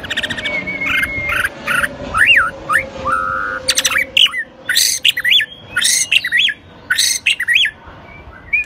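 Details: White-rumped shama of the shrimp-tail type singing in the "rít thuốc lào" style: harsh, rasping broadband bursts alternate with loud whistled notes that swoop up and down, in quick, choppy phrases over a faint, steady low hum.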